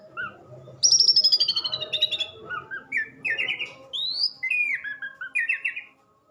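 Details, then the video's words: Orange-headed thrush song opens with a loud descending buzzy trill, followed by a run of varied whistled phrases, each a short slurred note or warble, with a low constant hum underneath. "kicau anis merah"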